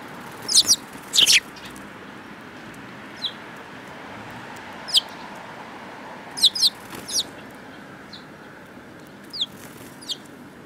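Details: Sparrows, several birds, recorded on 10 June 2018: short, sharp chirps in scattered bursts, some doubled, spaced irregularly over quiet background hiss.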